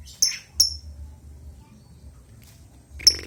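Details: Albino lovebird calling with brief, piercing chirps, two close together then a third after a pause, against a low steady hum.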